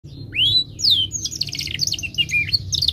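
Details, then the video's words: Timbrado canary singing melodic song: two rising and falling whistled slides, then quick rattling trills of high notes, over a steady low hum. "Canary Bird Singing - Timbrado canary singing beautiful melodic songs"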